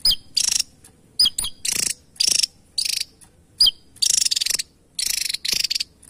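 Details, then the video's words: Javan tesia singing: sharp high whistled notes that slur down, mixed with loud dry buzzy rattling bursts in quick irregular series, about a dozen bursts over six seconds, with short silent gaps between. "Tesia Jawa Burung Unik ‼️ Burung Kecil Suara Pedas Istimewa"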